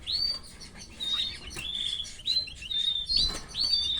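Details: Canary chicks fed by their mother in captivity: insistent high, thin, slightly falling cheeps repeated roughly every half second, with soft rustles between calls.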